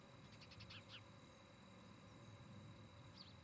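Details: Osprey pair at their nest near Charlo, Montana, filmed by a nest camera on the evening of 17 August 2018: a quick run of high, sharp chirps, then one lone chirp near the end, over a steady low rumbling hum.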